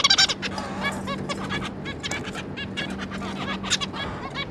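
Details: Zebra finch pair with their three juveniles, recorded 26 May 2022: rapid bursts of short nasal beeping calls from several birds, overlapping and chattering, over a steady low electrical hum.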